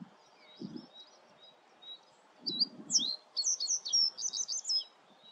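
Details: Common reed bunting singing in the Grote Netevallei, Gestel, Belgium, on 28 May 2022: a short, high phrase of a few clipped notes ending in a quick jingle, with faint bird notes and low wind thumps.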